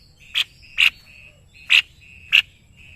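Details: Caged white-necked babbler kept as a tutor bird for songbird training in Indonesia, singing vigorously: four sharp, bright chipping bursts about half a second apart over a steady high whistled tone.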